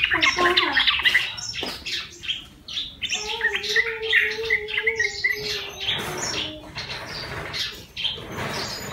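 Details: Caught-wild yellow-vented bulbul, tame after a month in captivity: loud chirpy phrases, then a steady wavering tone with a sustained lower note, followed by scratchy chatter.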